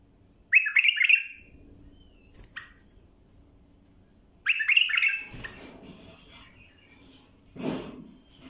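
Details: Bulbul song meant for tutoring young birds: two bright, warbled whistled phrases about four seconds apart, each opening with quick rising-falling notes, then a soft note and a brief low rustling thump near the end.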